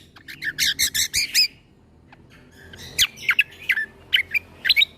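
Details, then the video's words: Cucak kombo leafbird in a training recording for young shamas: a harsh, rapidly pulsed chatter of about seven beats, quiet for over a second, then crisp rising and falling chirps spaced irregularly. "Putarkan MAsteran Cucak Kombo Ini Agar Punya Karakter Suara Tembakan"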